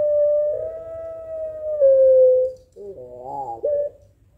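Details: Pelung-style Barbary dove calling to challenge a rival: one long steady coo held for over two seconds, dropping slightly near its end, then a short rippling, warbled phrase and a final brief note.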